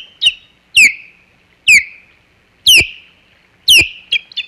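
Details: Osprey alarm calls at the Hog Island nest, 27 July 2020, with an intruder present: five loud, piercing whistles sliding downward, evenly repeated about once a second, ending in a couple of softer, clipped notes.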